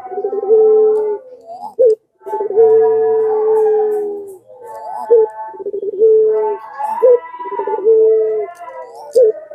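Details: Long-cooing pelung Barbary doves used to stir other doves into calling: repeated rolled starts each stretching into a sustained low coo, several voices overlapping in a dense, continuous chorus.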